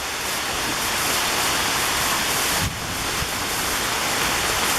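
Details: A summer afternoon thunderstorm brings a heavy downpour, heard as a dense, unbroken hiss with a brief dip in the middle and no bird calls.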